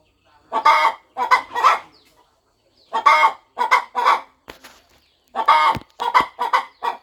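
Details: On a farm, a mother hen settles onto her nest ahead of hatching, clucking as she gets ready; three bursts of three rough, nasal clucks each, evenly spaced, with a faint click between.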